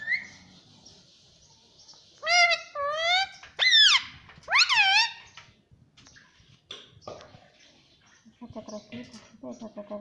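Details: Pet parrot repeating the word "mummy" indoors: loud, harmonic, warbling syllables in two-part bursts around the middle, a short higher squeak at the start, and softer chattering notes near the end.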